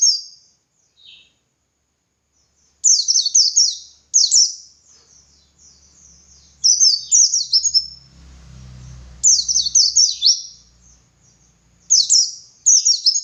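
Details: Energetic white-eye song of the dakun type, used to train other white-eyes: repeated bursts of high, rapid descending chirps, each phrase about a second long, separated by short pauses, with a faint low rumble in the middle.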